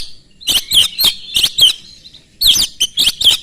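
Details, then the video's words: Lively, very fast Oriental magpie-robin song meant to lure other magpie-robins into singing back. Scratchy, buzzy strokes alternate with bright whistled tones in two clusters, separated by a brief quiet gap of about a second. "kacer gacor sangat cepat memancing kacer nyaut ikut gacor dengan suara tembus"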